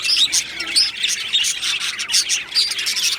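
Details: Budgerigar colony in an aviary, rapid overlapping chirps and squeaky warbles in bursts a few tenths of a second apart, forming a lively high chatter.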